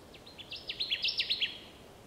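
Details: Song of a Connecticut warbler, Wisconsin, 30 May 2016: a rapid series of about eight sharp, emphatic two-part notes, growing louder through the phrase before stopping abruptly, over low, constant ambient hiss.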